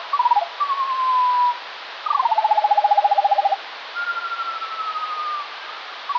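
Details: Morning Eurasian skylark song, one or more birds, slowed: a drawn-out falling whistle, a long buzzing trill of rapid repeated notes, then another long steady whistle.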